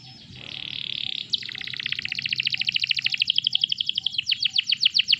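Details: Canary song used as a master recording to prompt other canaries to sing: a steady high buzzy note, then rapid rattling trills of repeated notes that grow louder toward the end.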